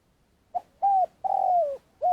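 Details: Spotted dove lure bird used in Vietnam for trapping wild doves, in long calling. A brief soft note leads into a steady coo, then a lengthy descending croo, with the next coo starting as the clip ends.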